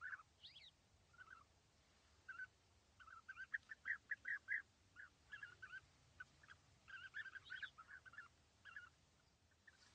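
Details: European bee-eaters perched as a pair in small trees at East Leake Quarry on a sunny morning in July 2017, about 80 metres off. Repeated rolling, trilled notes come in uneven bursts, some overlapping, with brief higher squeaks between them.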